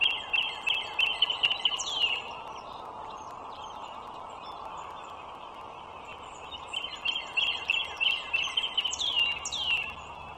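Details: Pair of wild bald eagles in Loudoun County, northern Virginia, 21 March 2023 around 9:15: two bouts of fast, shrill, giggling piping notes, each run descending, separated by a quiet stretch filled with road traffic hum.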